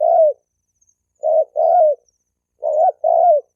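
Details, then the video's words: A trailing coo then two double-note phrases from a spotted dove, used to rouse males and females to fight; mellow, burred, slightly falling notes. "Tiếng chim cu gáy kích bổi kích trống mái gáy gù đánh nhau"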